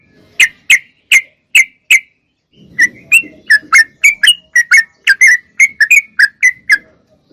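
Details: Sooty-headed bulbul, actively singing, in a recording intended to encourage cage birds to sing: five evenly spaced sharp chirps, then a soft rustle, then a quicker series of swooping whistled notes, some doubled.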